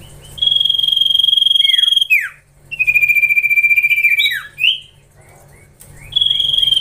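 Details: Caged juvenile Common Iora in training, producing long quavering whistles held steady before falling slurs, two such phrases with brief quiet gaps and soft chirps between.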